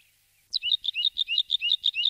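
A Bluethroat gives a quick run of high, paired chirping notes, about six per second, after a brief silence. Nothing else is heard.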